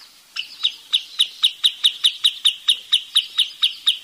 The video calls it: เสียงนกชายเลนน้ำจืด Wood Sandpiper Sound